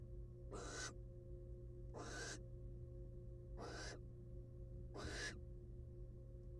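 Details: Wild female barn owl at her nest box with eggs, after eating a whole rat, gives four harsh, breathy screeches about one and a half seconds apart, each roughly a third of a second long, over a constant low hum.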